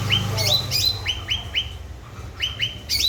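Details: Grey-bellied bulbul, locally cucak ranting, in full voice as a prompt for silent birds: rapid series of short rising chirps, about three per second, over a low rumbling hum.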